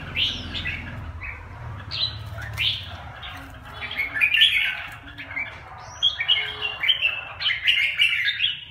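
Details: Red-whiskered bulbuls squabbling and bullying one another, giving a busy run of quick chirps, upslurred whistles and scratchy notes that grow denser and more rapid in the second half, with faint low hum behind.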